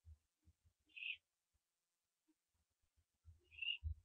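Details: Barn owl owlets on a nest cam while branching, 15 September 2011 before dawn; two short rasping hisses about two and a half seconds apart, fairly quiet, with low thumps and scratching movement noises.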